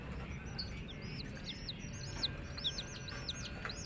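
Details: Hen's baby chicks chirping steadily: a fast run of short, high, arched peeps, several per second, overlapping one another against a constant low hum.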